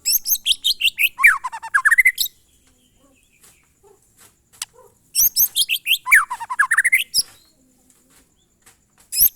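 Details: Murai batu or white-rumped shama giving monotonous glondong song: loud bursts of rapid high chips falling into a looping U-shaped run of whistled notes, repeated twice with a silent gap between, faint clicks in the pause.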